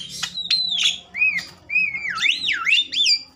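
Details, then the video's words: Agitated Javan myna, a bird kept to stimulate other mynas into singing: whistled notes with sharp wavering slides and sweeping up-and-down glides, broken by brief pauses. "Jalak kebo ngamuk...merangsang jalak kebo bakalan cepat bunyi"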